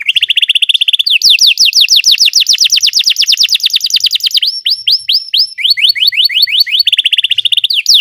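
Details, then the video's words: Song of a Belgian canary for training canaries: a brief steady high trill, then a long run of rapid downward-sweeping whistled notes, changing speed and pitch in several phrases, crisp and clear with no background. "Belgian canary singing makes your canary sing"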